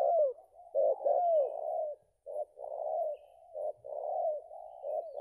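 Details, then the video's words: A spotted dove entered in contest after its moult delivers belah rotan cooing, low rounded notes strung into long phrases with a brief pause near the middle. "Mantap sedotan nya untuk BB sekelas ajaran, Ranking no. 2 BB belah rotan"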